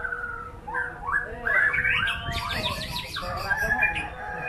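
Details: Performing white-rumped shama: soft whistles build into a loud, dense run of rapid rising notes and rattles, then flowing warbled phrases.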